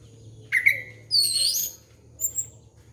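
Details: Orange-headed thrush singing to lure young birds: a slurred whistle rising and falling, then a high buzzy hiss and a short thin whistle over a faint hum.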